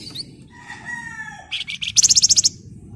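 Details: Energetic Flamboyan song used to stimulate other birds: a smooth level whistle, then a few separate high chirps leading into a fast, evenly spaced run of about ten piercing trilled notes.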